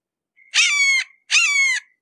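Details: Red-shouldered hawk giving two loud, clear, drawn-out screaming notes, each about half a second long and sliding slightly downward, separated by a short gap, with no other sounds.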